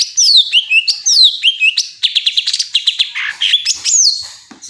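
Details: Greater green leafbird singing: a fast, varied run of high whistled notes, sweeping down-slurred phrases followed by a rapid series of short chips and twittering trills, loud and clear against a silent background.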